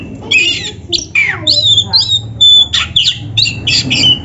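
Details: Black-breasted oriental magpie-robin training song meant to get caged kacer birds singing and fanning their tails: a rapid stream of shrill whistles, downward slurs and harsh squeaky notes, nearly continuous over a low background hum.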